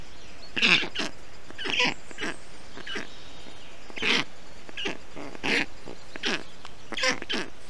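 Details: Young black storks in a nest in Estonia, 20 June 2021, calling as the male parent cools them in the heat with water, moss and wet grass; scattered short hoarse rasps with gaps of quiet between them.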